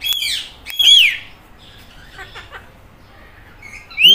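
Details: Green Indian ringneck parrot talking, imitating a cat's meow: loud, harsh, slurred calls that fall sharply in pitch, one at the start, another near one second and a third at the end, with faint chatter between.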